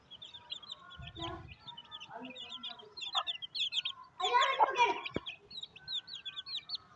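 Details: Chicks with their mother hen as she feeds them in rainy weather in a village in Pakistan; rapid high cheeping runs throughout, a few lower hen clucks, and a brief burst of a person's voice.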